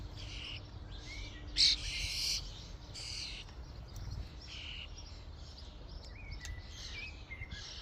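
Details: Common starlings at a feeding station give short scratchy bursts and a few thin whistled notes, scattered irregularly, with one louder clattering burst and a soft low background hum.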